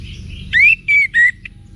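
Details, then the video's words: Orange-headed thrush wiksar song used to stir cage birds to reply: a rising whistled slur, then two level whistled notes and a short soft chip. "ANIS MERAH Manapun Bakal Nyaut Berani Untuk Figther Saat Didengarkan Kicauan Wiksar Ini"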